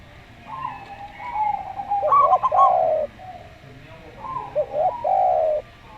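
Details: Slow-voiced local zebra dove: a burst of rapid staccato coo notes, with the lower, smooth, sustained cooing of a Javan spotted dove before and after it. A low background hum is present.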